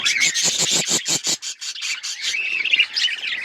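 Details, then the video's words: Budgies give a quick series of sharp, evenly spaced chirps, then shift into softer, rolling warbled chatter. "Budgies beautiful colours birds chirping sound"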